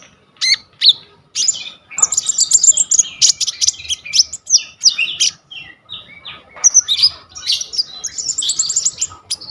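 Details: Kolibri ninja (olive-backed sunbird) in full, varied song, recorded on a vivo Y21 phone as a tutor recording: dense, very high twittering with buzzy trills and rapid chip runs, nearly continuous.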